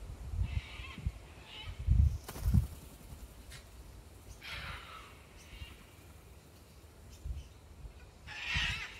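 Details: Australian satin bowerbird giving a few short, harsh, wheezy buzzing calls, spaced irregularly, over low rumbling thumps of wind or handling noise.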